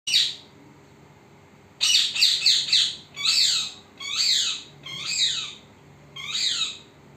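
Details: Parrot, recorded secretly so it would not notice; a lone harsh screech, then a quick run of four rasping squawks and four more separate descending squawks, each rising then falling in pitch.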